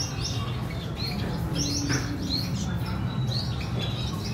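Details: Red siskin female tending her chick on 14/4/2021. Several short, high, slightly rising chirps come in loose clusters over a few seconds, set against a persistent low hum.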